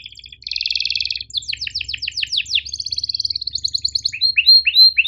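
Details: Canary tutor song with sharp chirps and rolls: a dense buzzing roll opens, followed by quick descending chirp series, another fast rattling trill, and closing upslurred whistles; a faint low hum sits underneath.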